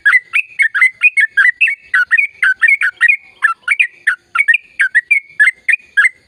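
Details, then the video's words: Yellow-vented bulbul singing a continuous, active gacor ropel phrase: quick, bubbly, liquid notes tumbling up and down in a steady chortling stream. "Suara Burung Trucukan Gacor Ropel Panjang"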